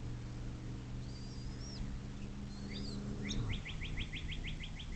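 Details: Nest-cam recording of a Bald eagle on the Little Miami River near South Lebanon, Ohio, USA, 06.04.2024, 17:23: thin slurred whistles, then a quick string of about nine sharp high piping notes, steady low hum underneath.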